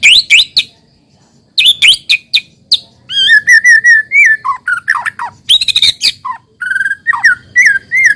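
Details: White-rumped shama song used as a lure to make other shamas sing: loud, varied phrases mixing rich, clear whistles, fluty slurs, rapid high trills and sharp chips, with short pauses between bursts.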